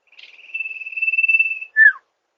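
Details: Sirtu bird, a master recording also used to lure sirtu birds in rice fields: a long, even, high buzzy trill swelling in loudness for over a second, then one short, loud whistle slurring sharply downward.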